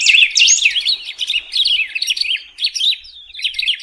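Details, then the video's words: Continuous rapid warbling from a golden-billed saltator: a dense stream of quick up-and-down slurred chirps with barely any break, wavering in loudness. "Pepitero/Picahueso Canto - Golden-billed Saltator - Saltator Aurantiirostris"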